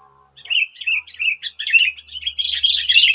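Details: Sooty-headed bulbuls in West Lampung: wild birds, nine against one decoy, answer with a noisy run of bubbly, chirping phrases that grow denser and more overlapping toward the end.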